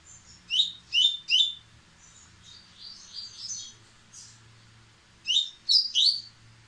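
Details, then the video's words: Impetuous White-throated seedeater with a white breast, accelerating its song: a trio of sharp rising chips, softer twittering in between, then another fast run of three to four bright notes. "Coleiro baiano peito branco impetuoso aumentando a velocidade!!!"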